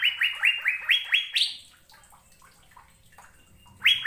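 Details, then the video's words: Asian fairy-bluebird used as a training recording for caged songbirds. A quick series of rising whistles ends in one higher note, then a stretch of faint scattered sounds, and a final loud whistle closes the clip. "BURUNG CUCAK BIRU GACOR"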